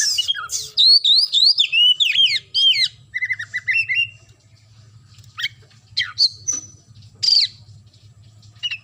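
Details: Kacer (white-rumped shama) singing gacor, an energetic rich song of fast varied whistles, sweeping slurred phrases and short chattering notes, fading into scattered sharp notes with a steady low hum behind.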